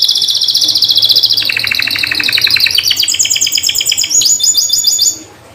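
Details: A canary sings a loud continuous song of rapid rolling trills, moving from a high buzzy roll to lower fast pulsed trills, then climbing to sharp high chattering phrases before stopping.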